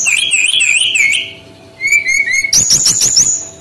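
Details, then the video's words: Singing male brown-chested jungle flycatcher of Bali origin, played as a lure to teach young birds: a wavering whistled phrase, a pause, then soft descending notes and a sharp burst of high chattering trills. "SUARA BURUNG SRDC BALI ASLI JANTAN GACOR"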